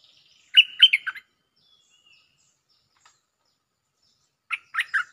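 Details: Bulbul song used as a lure recording, with doubled phrases: a quick burst of four bright, chirpy whistled notes, a long pause, then a similar three-note burst near the end.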